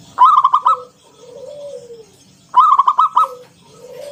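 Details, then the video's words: Local zebra dove of wild stock singing in the ngalun style with a round 'kung' note, used as a lure to prompt other doves to sing. Two loud rolling, bubbling coo phrases about two seconds apart, with softer sliding coos between them. "Suara NGALUN Kung Bulat - Perkutut lokal gacor Pancingan"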